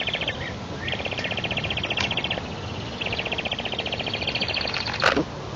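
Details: Eastern imperial eagle chicks begging at the nest in Tatarstan, Russia, on 9 July 2021, as a parent arrives with a twig instead of food; long runs of rapid, evenly pulsed high chattering notes, ending with a sharp click.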